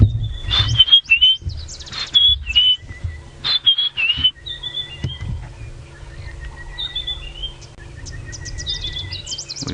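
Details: White-browed Scrub Robin sings bright, high whistled phrases, rising and falling, about every second, in a busy sunrise dawn chorus with sunbirds and a speaking voice, 5 AM, 21 November 2017, Djuma Game Reserve, Sabi Sand, South Africa.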